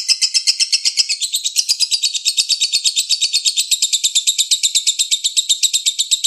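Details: Lovebird lure song in the konslet style: a continuous, fast, high trill of rapid chattering notes, about three per second in loudness pulses, sustained without pause throughout.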